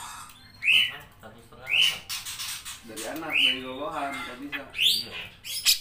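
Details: Grey-cheeked bulbul singing energetically, a training recording for hobby birds. Four sharply rising whistled notes about a second apart, separated by lower nasal, wavering harmonic phrases.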